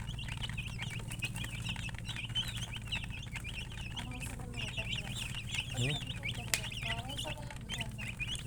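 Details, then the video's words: Many chickens chirping in a busy chorus of high, wobbling peeps. A lower, harsher call breaks in near the end, all over a constant low hum with faint clicks. "silly chicken chirping sounds with murgi hen color chicken"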